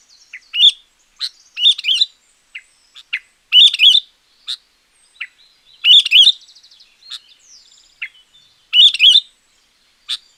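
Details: Sooty-headed bulbul champion song for luring wild bulbuls or tutoring quiet birds: energetic, repeated chirpy phrases every couple of seconds, with sharp loud notes and lively rhythm, interspersed with quick single chirps.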